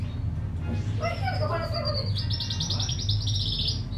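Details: Caged pair of white Fischer's lovebirds, born November 2015, recorded late morning on 27 December 2015; soft squeaky chirps lead into a long, high, pulsing trill that climbs slightly toward the end, over a constant low drone.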